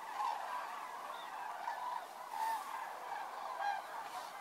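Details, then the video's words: Common cranes flying in to roost on an October evening at Federow, Germany, at a bird observatory during a dry spell with low water; overlapping trumpeting calls from many birds form a steady chorus, the bird nearest the listener sounding faintly above the rest. "Einflug der Kraniche"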